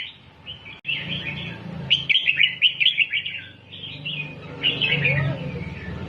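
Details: Red-whiskered bulbul delivering doubled song to teach young birds: choppy, bubbling chirped phrases rising and falling in bursts, a click near the start, and a steady low hum throughout.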